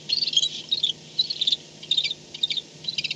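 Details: Barn owl back at the nest at night, 4:38 am on 2-10-16, nest camera; high, buzzy, clicking chitters in short clusters roughly every half second.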